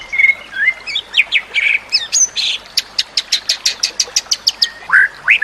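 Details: White-rumped shama singing, used to train other shamas: whistled slides and trills, then a fast run of about fifteen evenly spaced sharp high notes, ending with rising whistles; steady background hiss.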